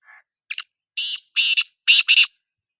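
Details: Black francolin call: a soft opening note, then a run of harsh, rasping notes that grow louder, the final two paired closely together.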